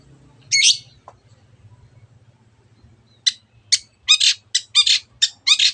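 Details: Long-tailed shrike in full, lively voice: a harsh burst, then a run of short, rasping, buzzy notes coming faster toward the end; low hum underneath.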